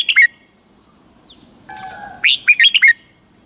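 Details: Caged Red-whiskered bulbul from Thailand singing in the southern style, used to excite caged birds and teach young birds. The end of one phrase, a pause with a brief buzzy noise, then a full phrase of five bright whistled notes.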